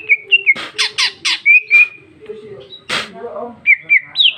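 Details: Female green leafbird, cucak ijo, in loud song: slurred whistles, a run of four harsh rasping notes, clear sustained whistles, a low droning tone underneath, then another harsh burst and rising whistles.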